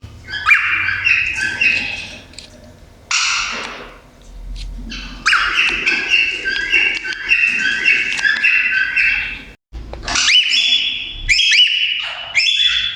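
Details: Cockatiel sitting in a cage gives bright, warbling chirps and whistles in quick bursts, with short pauses between them.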